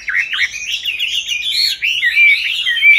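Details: Chinese hwamei in captivity, raised from a juvenile into its fifth year, giving brisk, twisting whistled phrases with quick ups and downs and a few short breaks.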